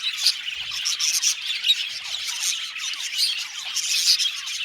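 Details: Budgerigar colony in an aviary, a steady flock chatter of bright, thin chirps and short downward-sweeping squeaks overlapping throughout.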